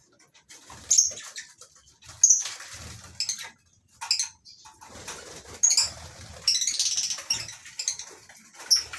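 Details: Lovebirds in a mini colony aviary on a breeding farm in the morning; shrill, high chirps and squeaks come in bursts every second or two, overlapping calls from several birds, with soft wing flutters and faint low rumbles between.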